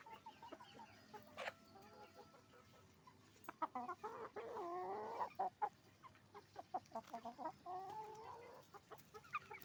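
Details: Hens and roosters at a chicken farm: a louder, drawn-out squawking call with rising and falling harmonics in the middle, framed by sharp clucks and bursts of rapid cackling from the flock.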